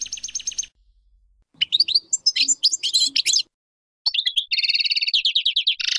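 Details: Caged European goldfinch, Major type, singing phrases of buzzy trills, sweeping twitters and a nasal rattling series, separated by short gaps, with faint low background hum.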